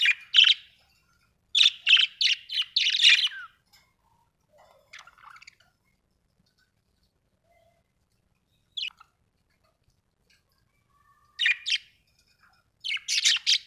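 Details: Budgerigar chirping in rapid runs of sharp squeaky notes, a long quiet stretch in the middle, then more clustered chirps at the end.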